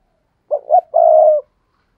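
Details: Single cooing phrase from a spotted dove kept to attract wild doves: two short low notes quickly followed by one longer, even, mellow coo, in a clean quiet setting.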